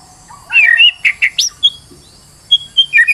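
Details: White-rumped shama in a stressed state, used as a lure to get another bird singing: bursts of rich whistled and harsh notes, a pause, then clear high whistles and a short trill.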